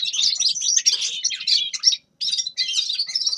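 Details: Grey-crowned goldfinch singing: a dense, fast twittering of high buzzy and chirping notes, broken by a brief pause before the phrase resumes.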